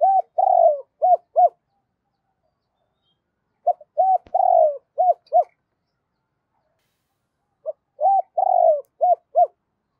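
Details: Repeated coo phrase of a spotted dove in 'giọng thổ' style, used to stir a decoy bird: three near-identical phrases roughly every four seconds, each a short note, a long wavering coo, and two clipped arched coos.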